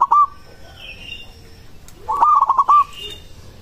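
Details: Song of a local zebra dove, played to make other doves answer: a brief coo, then a quick broken phrase of clipped, stuttered cooing notes. Faint higher chirps from another bird sit in the background.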